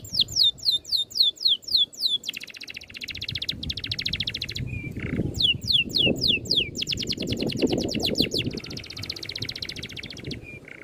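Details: Bird tutoring recording of a dense, rolling song: rapid series of sharp downslurred whistles, then long buzzy rattling trills, more whistle runs and another dry trill, with brief clear notes between, over a low rumbling background.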